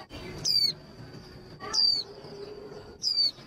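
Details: Hen white-eye calls meant to rouse males for song competitions: three loud, clear whistled notes, each dropping steeply in pitch, about one and a quarter seconds apart, over a faint steady high tone.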